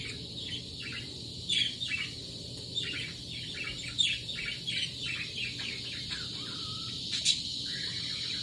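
A budgerigar chatters in a run of high, scratchy chirps and warbles.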